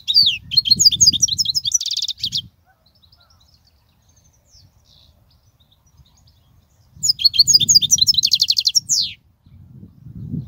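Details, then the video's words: European goldfinch song used to tutor young goldfinches: two bursts of rapid high twittering and buzzy trills separated by several seconds of near silence, with soft low background noise. "تغريد الحسون, الذي يبحث عنه الجميع"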